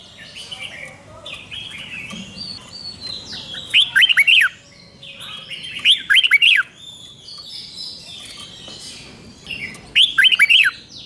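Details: Red-whiskered bulbul from Thailand singing a five-syllable song: bright, bubbly phrases of several quick notes about every three seconds, with other chattering birds behind.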